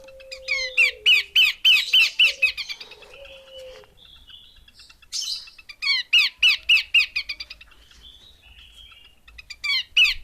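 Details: Female Horsfield's babbler chattering in two long bouts of sharp, downward-slurred chips, each about a dozen notes at a rapid, even pace, with a raspy burst and a low steady tone between them.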